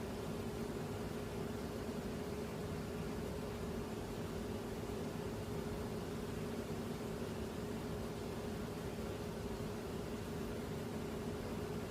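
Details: Steady mechanical hum with a constant low drone, like a vehicle or air conditioner, and no animal calls.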